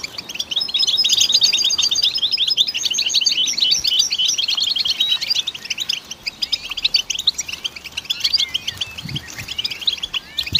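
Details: Goldfinch song as long, dense twittering, roughly four notes a second, of high chirps and slurred whistles, loud at first then loosening into scattered notes with faint low thuds.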